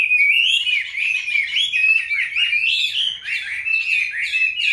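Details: Chinese hwamei in captivity, taken as a wild youngster and kept into a fifth year, sings a bright, unbroken warble of looping whistled phrases that rise and dip quickly.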